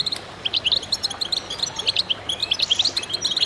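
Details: Group of goldfinches in full chorus: a steady stream of bright, staccato twitters and chirps with a few drawn-out slurred notes, almost without pause.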